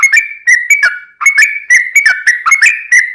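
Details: Yellow-vented bulbul singing energetically to attract other birds: liquid whistled notes with slurred downward dips, in brisk repeated phrases and one brief break near the middle.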